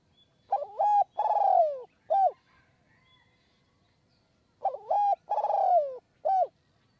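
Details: From a perch in the high forest of Kanchanaburi, Thailand, a spotted dove repeats its coo while wild doves are lured with a decoy. Two matching three-note phrases about four seconds apart, each a wavering note, a long falling coo, and a short ending note.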